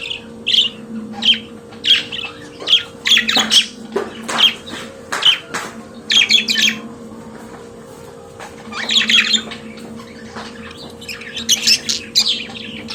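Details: Pet budgerigar singing: a warbling stream of short chirps and whistled notes, clustered in rapid bursts with brief pauses, some scratchy squawks, and a constant low electrical hum in the background.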